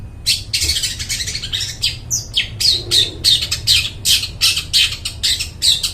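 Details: Long-tailed shrike in full, lively song, described as loud and clear and used to lure wild birds in forest: dense harsh, scratchy bursts tumbling about three per second, with a few short rising whistled notes mixed in, over low steady hum.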